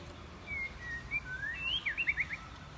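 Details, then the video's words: A pet white-rumped shama sings clear, varied wild-type whistles, switching voices continuously: a few sliding phrases and then a quick run of bright rising notes, over a low background hiss. "Chòe Lửa Hót Hay | Giọng Rừng Rất Hay Và Liên Tục Hót Đảo Giọng"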